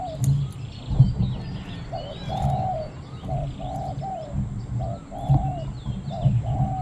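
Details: Decoy Spotted Dove calling toward wild doves at the third spot, small khu-ang voice: a steady run of low coos, short notes alternating with longer held ones for several seconds, with faint bird twitters and low thumps behind.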